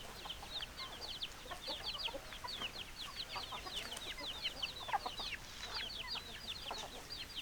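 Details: Many chickens produce quick high falling peeps almost without pause, with softer low clucks underneath, a dense, even chorus from start to finish.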